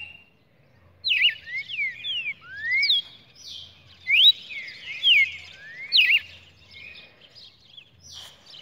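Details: Red-cowled cardinal, 23 June 2019, singing a run of quick whistled slurs, rising and falling, clustered in the middle of the passage after a brief quiet start, with light background hum.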